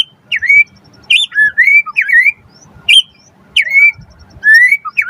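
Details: White-rumped shama song for provoking other birds: clear whistled notes that dip and rise, delivered in short separated phrases with gaps, over faint low background hum.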